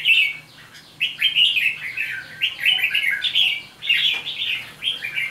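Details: Red-whiskered bulbul, caught wild in Hòa Bình and held five days, pours out rapid, dense warbled notes that jump between high and lower pitches, almost without pause, over a faint low hum.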